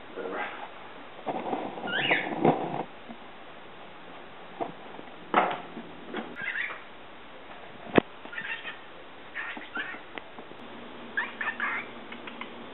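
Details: Pepper, a male pet cockatiel, chatters to a person's feet in scratchy, mumbled bursts broken by short rising whistles.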